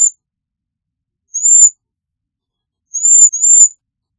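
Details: Cedar waxwing calling: high, thin, lisping whistles, each about a third of a second long, one alone then a quick pair, well spaced, with no other sounds present.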